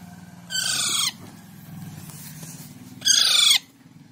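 A young Alexandrine parakeet gives two harsh, raspy screeches about two and a half seconds apart, each half a second long, over a low background hum.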